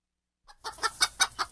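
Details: Chicken clucking: a soft lead-in note and then five sharp, harsh clucks spaced about a fifth of a second apart, loudest in the middle of the run.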